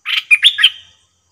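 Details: Caged bulbul calling during trapping: a quick, bubbly four-note phrase of rich chirps with a trailing whistled tail, under one second, clear and close with no background sounds.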